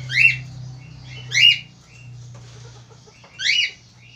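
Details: Vigorous male Australian finch, kept as a tutor bird to prompt lazy singers, makes three loud, squawky chirps with a falling sweep, the gaps between them uneven at one to two seconds, a low hum running underneath.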